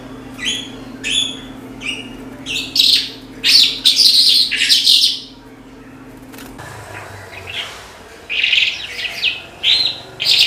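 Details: Lark singing in short bursts: sharp separate chirps at first, then dense trilled phrases, a quiet pause, and more chirping, over a low steady hum.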